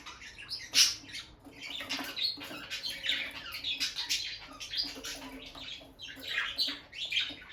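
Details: Peach-faced lovebird couple, a bonded pair staying close by the nest box as the female visits it. Dense, continuous high chattering chirps with rough, scratchy edges and soft rustling throughout.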